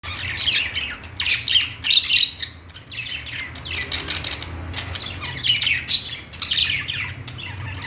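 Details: Budgerigars singing on a perch in a pet store: dense bursts of high, scratchy chirps and warbles in clusters, with brief lulls near three and seven seconds, over a steady low hum.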